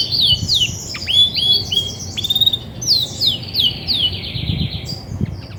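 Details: Female Belgian canary, grey and white, singing when ready to brood: a quick series of high, sharply falling whistled notes repeated several times per second, with a faint low rumble underneath.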